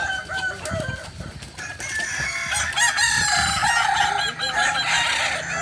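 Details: Roosters at a Balenggek crowing training in Ampang Kualo, Solok, start with scattered calls, then build into a loud, sustained chorus of multi-note crows from many birds.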